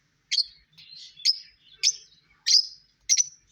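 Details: Five sharp, high lovebird squeaks arrive about every two-thirds of a second, with softer, lower twittering notes between them.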